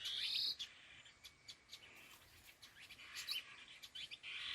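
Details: A pair of laughingthrushes (khứu lùn) produces a loud rasping burst at the start, then quieter scattered chirps, clicks and a final harsh swelling note.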